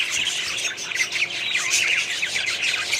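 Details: Budgerigars kept in a small colony setup, many birds calling at once in a dense, continuous chatter of squawks and warbled chirps, steady throughout.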